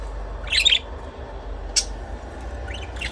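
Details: Budgie chirping, a burst of scratchy warbled notes, then a single sharp high chirp and a few faint rising squeaks near the end, over a low steady hum.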